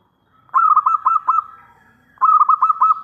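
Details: Local zebra dove with a big voice, calling to lure other doves to reply. It gives two close phrases of quick, pulsing coos that blend into a gurgling trill, the second phrase starting right after the first fades.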